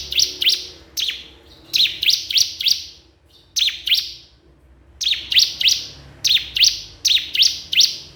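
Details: Bar-winged prinia (ciblek kristal) calling a rival. The bird gives high, sharp, buzzy chips in quick groups of two to four, with short gaps, over a faint background hum.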